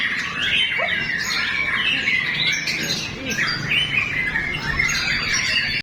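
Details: White-rumped shama in full song: a dense, continuous run of varied whistles, trills and chattering notes, mostly high-pitched, with no real pauses over the whole stretch; faint low background rumble.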